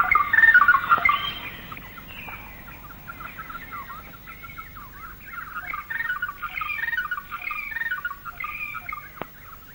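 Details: Greater racket-tailed drongo in Malayan rainforest, recorded late 1950s to early 1960s, giving a rich, varied run of ringing, bell-like notes, chattering phrases and possible imitations of other birds, with faint forest background.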